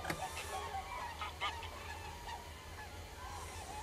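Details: Several common cranes give bursts of honking calls, a few loud notes early and then softer, scattered trumpeting over a steady low-pitched background drone.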